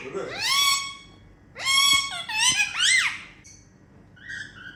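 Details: Pet Indian ringneck parrots making happy playtime sounds indoors: rising squeaky whines and a wobbling chattery phrase, then a faint short squeak after a pause.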